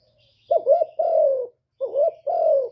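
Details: Decoy spotted dove from Cà Mau, kept to lure wild doves, gives two cooing phrases. Each phrase is a quick wavering note followed by a smooth, drawn-out coo that falls gently, with a faint low hum beneath.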